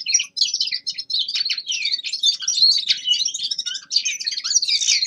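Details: Loud, unbroken twittering from a young male linnet warming up its winter song: fast, jumbled chirps, buzzy trills and bright whistles pour out for the whole stretch.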